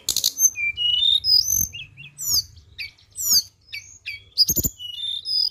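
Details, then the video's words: A flowerpecker lure call: a quick jumble of very high, thin notes, with sharp ticks, short whistles and brief buzzy trills, over a faint low hum. "BURUNG TLEDEKAN"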